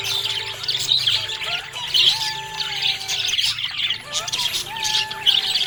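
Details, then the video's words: Happy budgerigar chirping: dense, scratchy warbling chatter with bright chirps bursting every second or so, over faint steady tonal sounds in the background. "Happy budgie chirping sound"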